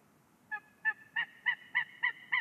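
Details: Mating white-tailed eagles at a nest in Ķemeri National Park, Latvia, on a live camera, giving seven sharp, barking yelps about a third of a second apart that grow louder.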